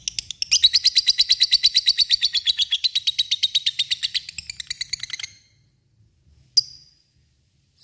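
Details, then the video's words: Lovebird calling an opponent with its long ngekek chatter: a fast, shrill, buzzy rattle lasting about five seconds, then silence broken by one sharp single squeak and another at the very end. "lovebird yang dengar pasti terpancing untuk bunyi dan ikutan ngekek panjang"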